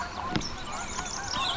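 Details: Migrating flocks of Canada geese pass over Sax-Zim Bog, Minnesota, on a brisk early-fall morning, 13 September 2022, giving a few nasal honking calls at irregular intervals over a steady background hiss.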